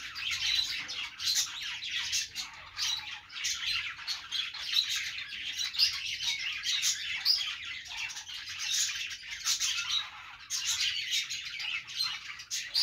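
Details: Budgerigars singing on a perch in a long, unbroken chattering warble: quick squeaky notes, rasps and clicks tumble over one another, swelling and easing in short waves.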